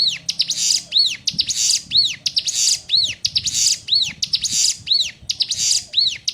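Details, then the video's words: Ciblek gunung, the Sunda warbler, in a song variant used to tutor newly caught birds: repeated high arching whistles, each paired with a harsh buzzy rattle, in a steady rhythm of roughly one phrase per second. "Ciblek Gunung (CIGUN) Masteran Burung Bahan -- 6 VARIAN SUARA YG BELUM KAMU KETAHUI"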